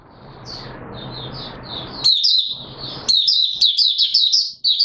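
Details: Mata Puteh Raja white-eye, kept bird beginning to sing before reaching full condition: soft, scattered high notes over background hiss, then a louder run of quick, sharp chirps in the second half.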